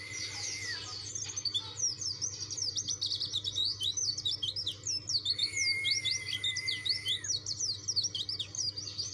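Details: White-eye song meant to challenge opponents: busy high chattering of quick slurred notes running nearly nonstop, with two long steady whistles woven in, one early and one midway.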